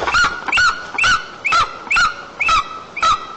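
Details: White-tailed eagle returning to its nest at dusk, 6:01 pm on 29 August 2022, Almetyevsk region, Tatarstan, Russia, calling loudly as it approaches and lands on a branch; seven sharp yelping notes, roughly two per second, each with a bright overtone.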